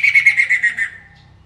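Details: Masked laughingthrush giving a brief series of about seven harsh, scratchy notes in quick succession, slightly falling and fading out within a second.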